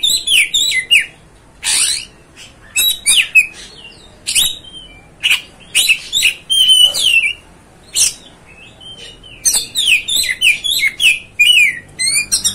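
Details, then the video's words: Oriental magpie-robin singing to incite another magpie-robin's fighting spirit: a long, energetic run of varied whistled notes, slurred sweeps, scratchy chatters and sharp clicks, phrases separated by short gaps, no other sounds noticeable. "MEMANCING | MEMBAKAR EMOSI KACER ANDA"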